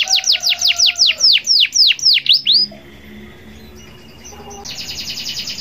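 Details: Local canary in song, used to prompt other canaries to sing: a row of steep downslurred whistled notes, a quiet pause, then a brief buzzy high trill at the end.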